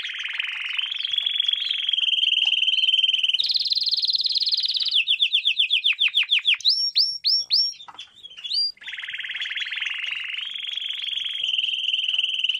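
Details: Canary singing a training lesson for young canaries: dense buzzy trills held at one pitch, then a rapid rattling roll, a run of high upswept whistled notes, and a return to steady fast trilling.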